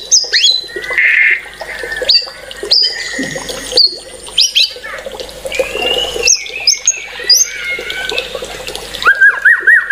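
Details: White-rumped shama delivering a varied, loud song: sharp upsweeping whistles, harsh buzzes and chattering notes, ending in a fast rolling series of rising whistles.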